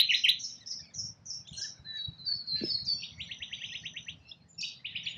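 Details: A rainbow lorikeet feeding in Australia gives sharp, high chirps and thin whistled squeals, followed by fast, pulsed rasping buzzes of about eight notes each, with a faint low thump.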